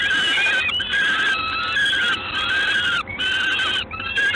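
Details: In Gdańsk on 3 June 2016 at 19:47, a Peregrine falcon gives repeated grating, drawn-out wails, about four in a few seconds, each with a slightly uneven pitch.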